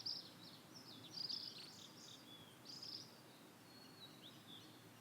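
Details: Ashy minivet calling in familiar satoyama countryside, giving a few high, thin trilled phrases near the top of the range, spaced unevenly over five seconds against a steady low rural hiss.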